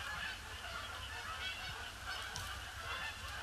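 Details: Many Canada geese circling over a pond on gloomy Boxing Day, 26 December 2015, before landing; continuous blended honking chorus, fairly even in loudness, with low rumble underneath.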